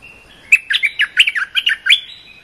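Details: Cream-vented bulbul song used to train young birds: a short, bright, bubbling phrase of about ten quick chirpy notes, rising and falling, ending in a thin sustained whistle.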